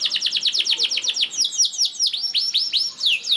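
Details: Canary song used as a lure to prompt other canaries to sing: fast runs of downward-sweeping high notes, about ten per second, then slower, fuller descending whistles and looping phrases.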